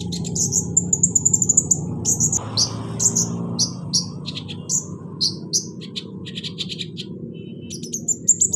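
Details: Caged sunbird (kolibri ninja) singing to stimulate a bird that won't sing: a fast high trilled run, then spaced sharp chirps and short buzzy notes over a constant low hum.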